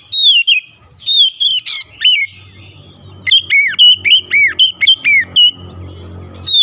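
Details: Oriental magpie-robin stirred by a rival bird, bursting into loud song: rapid series of curved, ringing whistled notes, a harsh squawk and quick downslurred phrases, repeated several times a second.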